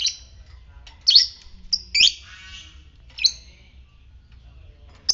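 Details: Lovebird of fighter type in ngetik style, a lure to stimulate ngekek; shrill clipped chirps and squawks in an uneven series, a short chattery stretch after the second second, then quieter.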